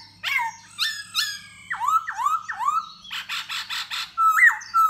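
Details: Courting khướu da bò laughingthrush, singing and dancing for a female: harsh downslurred notes, three swooping whistles rising at the end, a buzzy pulsed section and a closing pair of high whistles.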